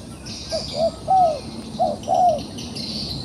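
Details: Wild dove in a trap, still fighting back, gives a muffled coo of two soft notes and a longer falling one, then repeats it. Rural hiss and distant high chirps sound behind.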